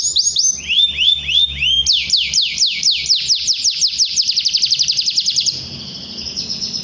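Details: Canary in energetic rolling song to provoke a rival and start young birds singing: overlapping upslurred whistles, then a long series of fast, evenly spaced sweeping notes, fading to a quieter buzzy trill.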